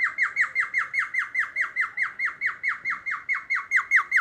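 A cockatiel mimics a siren with rapid, repeated falling whistles, about four each second.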